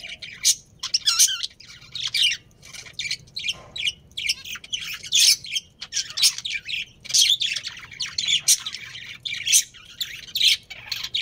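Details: A budgie family colony around a breeding pair of Australian parrots, chattering nonstop: dense, rapid, scratchy chirps and sharp squeaky notes overlapping, about one burst per second, with no quiet gaps.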